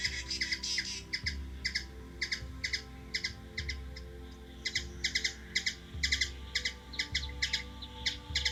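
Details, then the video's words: A hummingbird in Washington DC, USA, gives sharp, high chip notes, singly or in quick pairs and triplets, about two to three per second, over a low steady background hum. "Hummingbird | Bird noise"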